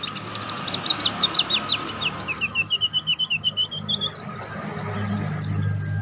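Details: Konin songbird singing sharply for song contest training. A long string of about twenty-five evenly spaced slurred whistles drops steadily in pitch, then climbs again into high notes, over a low background hum.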